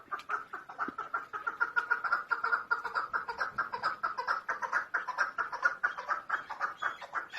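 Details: Female chukar partridge calling as a hunter's lure: a rapid, steady run of clucking notes, packed tightly and repeated more than twice a second throughout, heard at close range in a quiet indoor setting.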